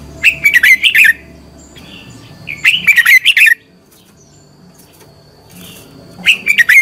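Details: Contest song from a decoy red-whiskered bulbul, used to train and fire up other bulbuls: vigorous one-second phrases of fast, slurred whistles and chips, two phrases then a pause before a third starts.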